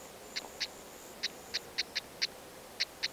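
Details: Stonechat of a pair feeding nestlings in dense grass; the chicks left the nest three days later. Dry, sharp ticking notes, about nine in three seconds at uneven intervals, over a faint steady hiss.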